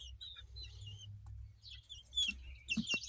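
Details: Two chicks hatched in spring 2023 give shrill, slurred peeps, some long and wavering, others short and descending, ending in louder sharp cheeps over a steady low background hum.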